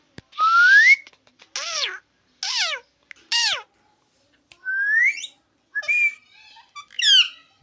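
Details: Parrot imitating human speech: a rising whistled note, then short harmonic speech-like syllables that slide downward, another rising whistle and a cluster of chattering, voice-like notes in a quiet indoor room.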